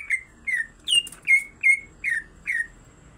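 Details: Greater green leafbird song, female and male singing: seven clear downslurred whistles delivered evenly, about every 0.4 seconds, one pitched higher than the rest.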